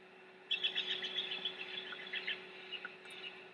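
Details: Big Bear nest with restless bald eagle chicks keeping the adult female awake: a tumbling series of high, squeaky chirps, fast and uneven at first, then thinning to scattered peeps, with a constant low hum behind.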